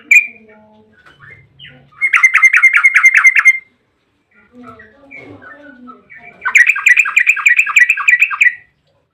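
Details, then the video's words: Two long rapid 'ropel' trills from a yellow-vented bulbul, each about one and a half seconds of fast repeated bubbly notes, separated by quieter scattered notes; used as a lure to make bulbuls sing. "trucukan gacor ROPEL PANJANG buat pancingan trucukan agar bunyi"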